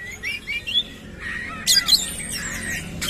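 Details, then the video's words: White-rumped shama, a kacer, singing with its tail spread; thin whistled notes near the start, then a denser burst of varied chattering, sweeping phrases, with a faint low background hum. "KACER GACOR BONGKAR ISIAN KASAR BUKA EKOR"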